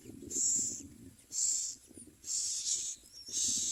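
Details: Common myna chicks in the nest give harsh, hissing rasps, each about half a second long, repeated roughly once a second over a low background rumble.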